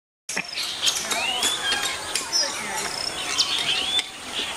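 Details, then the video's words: Chestnut-tailed starlings of subspecies Sturnia malabarica nemoricola from China give a jumble of thin, squeaky whistles and chattering notes, several rising and falling, over a steady high-pitched background hiss. "Chestnut-tailed Starling"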